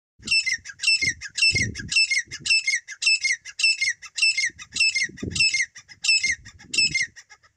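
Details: A desi grey francolin calling loudly: a shrill, high, ringing phrase repeated about twelve times in under eight seconds, roughly every 0.6 seconds, over faint low thumps and rustling.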